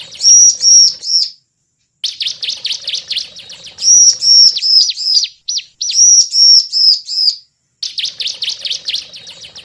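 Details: Lure recording of a bar-winged prinia: loud phrases of high whistled notes mixed with quick downward-flicking notes, each phrase lasting one to two seconds with short silent gaps between.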